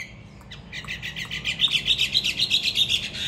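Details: Trained fighting Hwamei kept in a cage in Hà Nội, Vietnam, gives a rapid, even series of high, ringing notes, about four each second, swelling steadily in volume.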